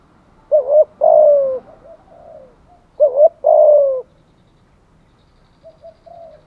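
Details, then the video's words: Lure recording of a spotted dove: two phrases, each a brief arched note then a drawn-out burry coo sliding downward, followed by faint soft notes. "Tiếng chim cu gáy kích bổi[ thúc gù. gáy gọi, đủ bài] cu cườm thúc gù"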